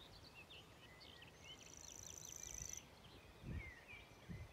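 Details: A Common grasshopper warbler singing in Maridalen, Oslo, on 1 June 2022 gives a high, even, insect-like reel for about a second and a half, among other birds' chirps and a low background rumble.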